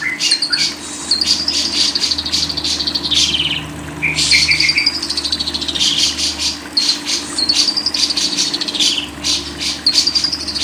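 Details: Lovebird giving a fast, high chattering song of dense buzzy chirps and rising and falling whistled trills, broken by a brief pause near four seconds, over a faint steady low hum.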